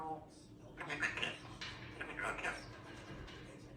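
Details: A female grey parrot at home, practising her words, chatters in speech-like phrases: three short bursts of mumbled, word-like sounds over about three seconds, with a faint room hum behind.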